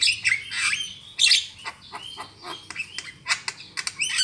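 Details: Javan myna used as a lure for trapping: squawking, rasping chatter with slurred squeals, then shorter scratchy clicks and chirps.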